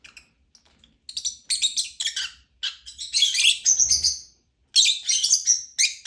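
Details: Lovebird chirping steadily: strings of sharp, high, twittering notes in long bursts broken by brief pauses, with a faint low rumble in the middle.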